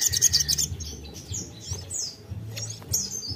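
Ashy Tailorbird singing a burst of rapid, high sharp notes followed by thin, varied whistled phrases, over a steady low hum.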